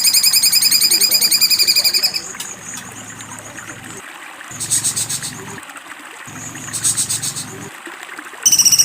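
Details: Cucak cungkok singing in a sharp besetan style: a high, buzzy, rapidly pulsed trill lasting about two seconds, followed by quieter stretches with two short rattling bursts and a faint trickling background.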